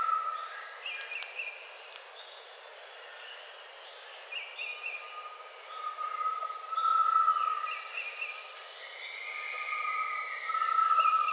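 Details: Great tinamou whistles: drawn-out tremulous tones that slide gently upward and swell in loudness, repeated over about eleven seconds against a dense, pulsing insect chorus.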